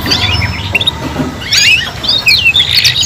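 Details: Young canaries learning to sing, heard as bursts of high twittering and warbled trills in short phrases, with gaps between phrases and low background rumble.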